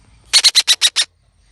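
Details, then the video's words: Kept young red-breasted parakeet giving a quick series of six harsh, grating screeches, evenly spaced over about one second, with near silence around them. "Burung betet anakan atip gacor"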